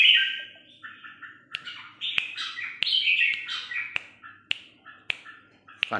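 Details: Caged decoy Red-whiskered Bulbul used for hunting, singing 'hót ché' style: a run of quick warbling, slurred whistled phrases rising and falling, punctuated by sharp taps roughly every half second.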